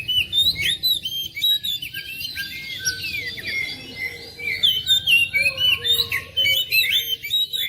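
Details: Oriental magpie-robin song meant to get a reluctant household bird singing: continuous jumble of quick whistled and chirped notes, fairly even in loudness, with faint lower whistles and background hum.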